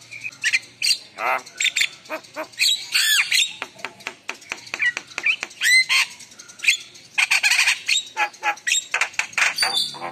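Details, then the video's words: Javan myna pours out a busy mix of harsh squawks, scratchy buzzes and short whistled slurs, with uneven bursts of chatter throughout. "Spontan Emosi Suara Jalak Kebo Gacor Penuh Isian Mewah"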